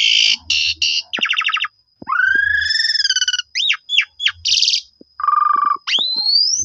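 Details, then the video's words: Asian pied starling (jalak suren) lure song meant to provoke rival starlings into long answering song: harsh bursts, a buzzy trill, sweeping whistled slurs, then a low rattling trill and a final rising whistle. "JITU Memancing Jalak Suren Lain Langsung Bongkar Isian Nyaut Suara Panjang"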